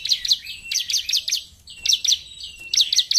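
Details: Bar-winged prinia singing energetically in rapid clusters of bright, high chirps, two to four per burst, with brief buzzy connecting notes and almost no gaps between groups.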